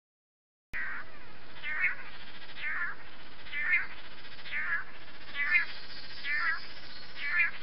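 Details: Long-tailed manakin in Costa Rican rainforest, filmed around its courtship dance, giving short, nasal, buzzy calls that slur downward, about eight in a row at roughly one per second, over a steady hiss.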